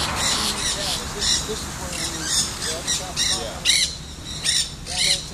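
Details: Black-hooded (Nanday) parakeet chattering as it chews stems, St. Petersburg, Pinellas County, Florida, 2 October 2014; a steady run of grating, buzzy squawks with rising-falling harmonics, several per second, growing louder toward the end.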